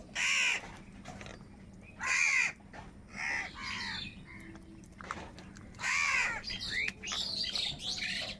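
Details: Several crows fighting for food caw harshly, their calls overlapping toward the end, where thin whistled chirps from other birds join in.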